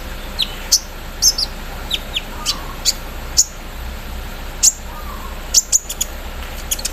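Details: Kolibri ninja (Javan sunbird) set out in the morning dew, singing energetically: scattered thin, very high chirps and short sharp notes at irregular intervals, with a steady background hiss.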